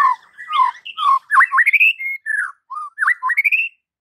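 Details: White-rumped shama (murai batu) training song: a rich, varied run of lower warbled and whistled notes with quick upward flicks, almost continuous for nearly four seconds.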